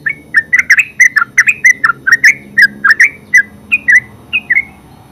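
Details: Full ngeropel song of a yellow-vented bulbul (terucuk): rapid chattering sequence of liquid, slurred chirps, bunched and crowding together at first, then spacing out slightly toward the end, against quiet background.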